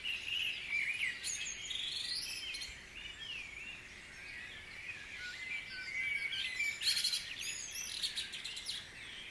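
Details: Birds of several kinds in a Guisborough dawn chorus, sweeping whistles and chirps throughout, with a loud burst of sharp rapid notes near the end.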